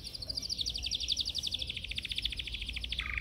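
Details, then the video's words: Yellow canary in a cage, song training: a rapid high trill of repeated notes slowly sliding lower, over a steady background hiss, ending in a brief lower note. "Canary singing training Yellow"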